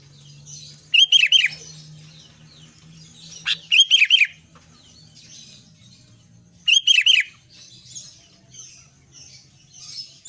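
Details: Albino sooty-headed bulbul singing in lively form, repeating a short phrase of three or four quick falling whistles roughly every three seconds, with a low hum in the background.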